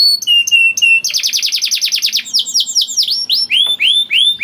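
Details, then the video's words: Canary singing to encourage other canaries to sing: short whistled notes, then a fast rolling trill, followed by repeated downward-sweeping whistles. "PANCINGAN KENARI GACOR DOR NGEREK PANJANG INI AMPUH BIKIN KENARI LAIN BUNYI"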